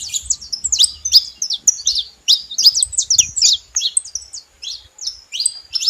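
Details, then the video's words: Saffron finch singing: a lively run of short, sharp chirps and downslurred notes, high-pitched and irregular, about three per second, with brief pauses between bursts and faint low rumble beneath. "Canário da terra junto fazendo barulho"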